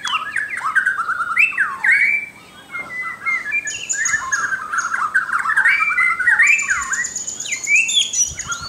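A white-crowned shama pours out a continuous, varied song of rich rising and falling whistles and warbles, with thin high notes laced through and barely a pause.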